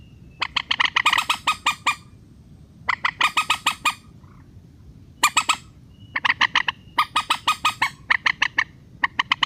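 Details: Relaxed rail call used to lure birds down into nets: rapid series of rasping, nasal notes grouped in bursts of five to ten, with brief silent gaps and a faint low rumble beneath.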